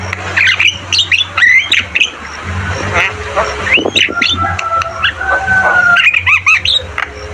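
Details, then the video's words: Javan myna in lively song, with scratchy chattering phrases, a long level whistle, and quick clear rising notes near the end. A low hum runs throughout. "Masteran burung jalak kebo gacor Terbaik"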